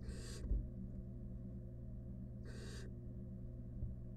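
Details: Wild barn owl inside a nest box with rat prey utters two harsh, hissing screeches spaced about two seconds apart, with light thuds and a persistent low hum.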